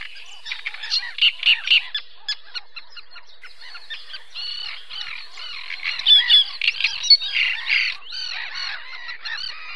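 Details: Great reed warbler at Zámecký rybník pond, Chropyně, on 18 May 2017, singing a loud, grating song of harsh croaking and creaky notes, each repeated in short bursts, with squeaky higher phrases mixed in.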